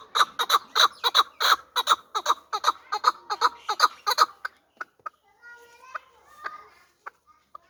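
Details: Hybrid fighting partridge, a young bird from last year, calling in a dense rapid burst of hoarse chuck notes for four seconds, then a few isolated clucks and faint softer sounds.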